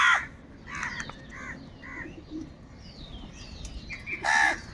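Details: Crows fighting over food give a loud, harsh caw, a few softer short caws, then another loud caw, with twittering small birds in the background.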